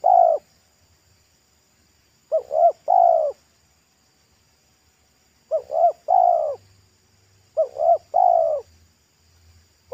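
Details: Roadside wild spotted dove with a thick, ringing pesom-style song. Coo phrases at uneven gaps: each a pair of short coos followed by a long descending coo, plus low rumbling in the background.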